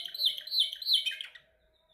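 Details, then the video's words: Canary practicing its song in training, three quick rolling warbled phrases of high chirpy notes in succession, then the song breaks off into quiet with a faint steady hum. "Your canary sings immediately when he listens to this canary singing"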